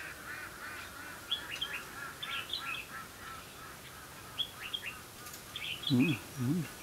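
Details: Competitive singing of red-whiskered bulbul during trapping, 2 October 2016; several short warbled phrases of bright slurred notes repeat over a steady hum, followed near the end by a deeper, wavering low sound.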